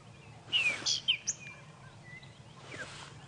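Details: A wet Groundscraper thrush at sunrise (about 5 AM, 2 November 2016) on a safari drive after a storm, probably calling to find a mate: a quick burst of clear, slurred whistles and sharp chirps, then a fainter phrase.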